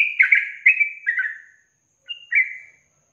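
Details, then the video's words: Yellow-vented bulbul in a songbird training recording, giving slurred, slightly buzzy warbled notes in a short tumbling phrase, then a pause and two more drawn-out whistled notes. "Masteran Trucukan Ropel Panjang Garuda Tembakan"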